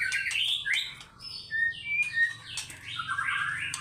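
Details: Brief burst of fighter-style song from a White-rumped shama: slurred rising and falling whistles, a clear pure whistle, then broad buzzy phrases over a soft low hum.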